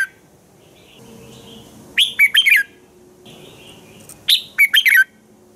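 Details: Singing red-whiskered bulbul in the morning, used to coach other bulbuls: two brisk phrases of five clipped, rising-and-falling whistles about two seconds apart, with soft distant chirps in the gaps.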